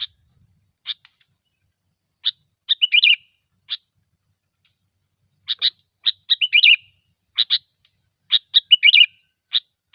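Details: Gecor-style song of a sooty-headed bulbul, played to lure birds for trapping: scattered single chirps building into clusters of quick notes and rich bubbly warbles, repeated several times over ten seconds, with no other sounds.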